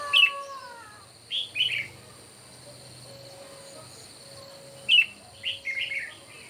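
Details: Morning contest singing of red-whiskered bulbuls: a sharp whistled note opens, then paired chirpy phrases, later a clear note followed by a quick run of three warbled notes, over a constant high hum and a low rumble.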